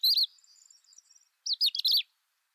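Crested lark giving clear, fluty whistled phrases with quick up-and-down slurs, a brief opening note then a rippling burst, over faint high background twittering.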